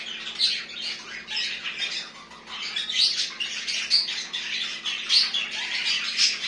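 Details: Pet budgerigars kept at home give continuous high, scratchy warbling chatter with brief squeaky peaks, over a steady low electrical hum.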